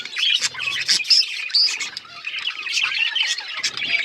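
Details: Australian parrots give a mix of clear little whistles and rough squawking chirps. The many voices blend into a constant bright babble.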